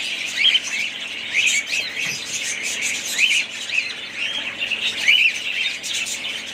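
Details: A budgerigar family's chirping: bright, rising-falling whistled chirps pop out roughly every second or so over a background of soft continuous group warbling.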